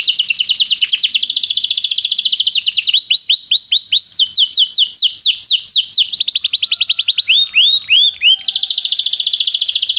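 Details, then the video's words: Canary song meant for training young singers: continuous loud, high trills made of rapidly repeated down-slurred notes, shifting between several trill types with faster and slower pulses, no pauses throughout. "professor para o seu canto canário em breve - o melhor treinamento canário"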